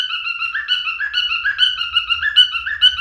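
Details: Whistled song of a male cockatiel, a sequence of clear notes with upward slurs at a steady pace, over a faint low hum.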